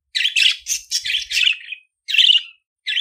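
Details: Budgerigar chatter of harsh buzzy squawks strung closely together, a pause, then another grating squawk and a short note.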